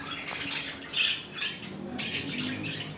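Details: Budgerigar pair in mating behaviour, giving a soft, raspy chatter with short squawking bursts that rise louder around the middle of the clip, against a faint room hiss.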